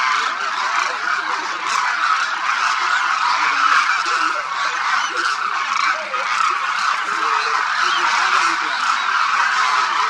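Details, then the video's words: Thousands of Demoiselle Cranes at Khichan Bird Sanctuary, Rajasthan, India, their constant winter calls filling the air; overlapping trumpeting and honking from the whole flock, steady throughout with a short dip in loudness midway. "The sound of thousands of Demoiselle Cranes echoes across Khichan Village, Rajasthan"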